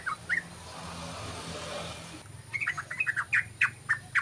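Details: Lure call of a yellow-vented bulbul: after two seconds of hissing background, a quick run of short chirpy notes repeated several times a second, loud and slightly uneven in rhythm.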